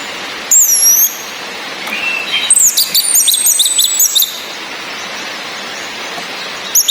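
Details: Female orange-headed thrush calling to raise breeding drive in males: thin, high whistled calls sliding between very high pitches, then a burst of short sharp chirps, over a steady hiss of rain.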